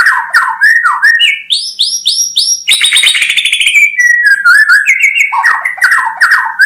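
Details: White-rumped shama singing a loud, varied song: bright whistled phrases around mid pitch, rising stepped notes, then dense rapid chattering trills with high sharp accents, continuous throughout.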